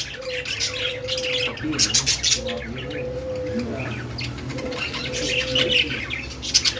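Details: Budgerigars chirping in a dense, continuous chatter of high, rapid twittering notes, with a steady lower hum-like tone running beneath for long stretches.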